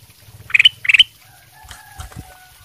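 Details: Ruby-throated bulbul in full song, used as a lure recording to prompt other birds to answer: two loud, bubbly whistled phrases in quick succession, followed by faint, thin whistled notes.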